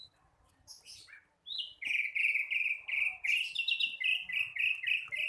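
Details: Young flycatcher still learning its song: a few scattered high chirps, then a steady run of bright, slightly buzzy notes repeated about three per second, stepping up briefly to higher whistled notes before falling back.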